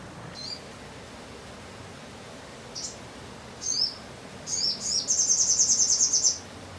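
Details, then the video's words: Sogon song offered as training material for magpie robins: a few isolated high, sharp notes, then a fast, loud, rhythmic high trill of evenly pulsed notes, over quiet background hiss. "sogon bongkar materi"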